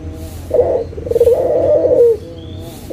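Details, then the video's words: Local Barbary dove cooing to coax silent doves back into calling: a brief note, then a longer vibrating coo that drops in pitch at its end, with steady low background hum. "SUARA PIKAT PUTER LOKAL GACOR_SUARA PANCINGAN BURUNG PUTER MALAS BUNYI AGAR BUNYI LAGI"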